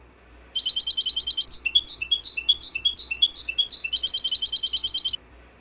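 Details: European goldfinch song for teaching caged birds, opening with a fast even rattle of high notes, then a varied run of buzzy downslurred chirps, and ending with another rapid high rattle.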